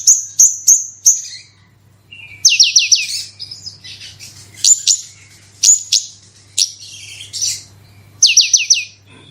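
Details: Horsfield's bush lark (branjangan) giving 'gacor roll tembak' song used to prompt other bushlarks to sing: quick high chirp triplets, fast downslurred whistle series, and buzzy phrases alternating, with a faint hum behind.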